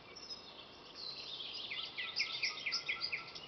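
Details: Common nightingale song, Torsås municipality in southern Kalmar County, Sweden, 7 May 2017: after a soft hiss, a rhythmic phrase of sharp high notes repeated about twice a second builds and continues, with steady background noise.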